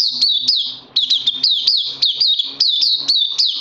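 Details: Puteh, the oriental white-eye, recorded 31 May 2020, sings a continuous high twitter of quick flicking notes about four per second, each note dropping in pitch, with a brief break near the one-second mark.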